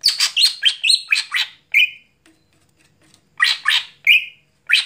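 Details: Cucak hijau, a greater green leafbird, in energetic night song: a rapid run of harsh chattering and squeaky notes, a drawn-out whistle, a pause, then more scratchy notes and a rising whistle.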